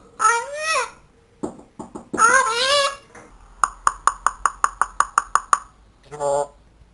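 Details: Grey parrot (Psittacus erithacus) mimicking speech in warbling, voice-like phrases, then a rapid run of about a dozen sharp knocking clicks and a final squawk.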